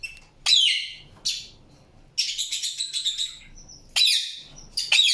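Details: Indian ringneck parakeet producing harsh, high squawks in separate bursts, one burst breaking into a rapid stutter of scratchy notes, with pauses of silence between calls.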